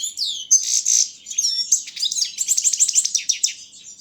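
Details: Carduelis carduelis balcanica in a song competition, delivering a dense, scratchy high warble of tinkling notes and buzzes that runs on without pause, quiet background.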